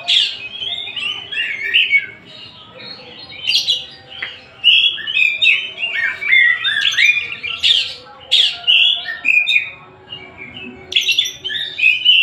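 Oriental magpie-robin in loud, varied song: rich whistled phrases mixed with harsh, scratchy notes, delivered in bursts every second or two, with brief pauses between.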